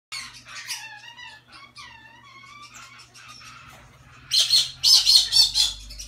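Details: Hand-tame red-collared lorikeet chick, recorded 4 April 2017: nasal calls that slide downward, repeated about twice a second, then a burst of loud, harsh, rasping squawks, over a low steady indoor hum.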